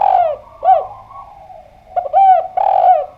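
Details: Spotted dove singing eagerly at close range, a run of loud, hollow coos, each note bending down at its end, grouped in quick phrases with short pauses between them.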